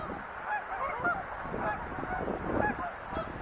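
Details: Wild geese in a group, a rolling mix of higher yelps and deeper honks overlapping without pause.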